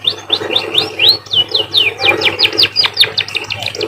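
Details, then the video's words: Munia (emprit) singing in a canary-like style: a quick run of clear whistled notes, some rising and some falling, repeated several times a second, over a low steady hum. "emprit bird sounds like a canary"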